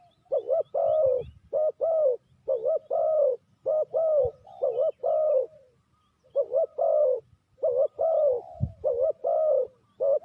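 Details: Repeated coo-coo-croo phrases from a spotted dove, its voice used to lure birds into traps: short doubled notes and longer falling coos run closely together for ten seconds, with faint higher chirps and a brief low thump.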